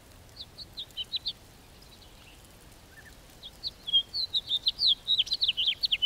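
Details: House finch with a brief burst of quick chirped notes, a pause, then a longer, louder jumbled warble of rapid sweeping notes.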